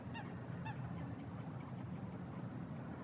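A Eurasian coot gives two short, nasal, honking notes about half a second apart, over a steady low rumble of wind or distant traffic.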